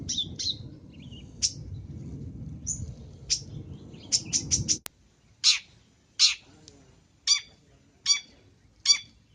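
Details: Long-tailed shrike, a lure recording: irregular rasping notes over background rumble, then after an abrupt cut, six clean, loud harsh calls spaced roughly every second in near silence.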